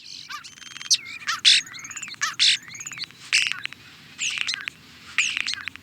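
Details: European starling song mixing harsh scratchy bursts, long rising whistles and rapid clicking rattles in a wheezy, grating stream, over a low rumbling background.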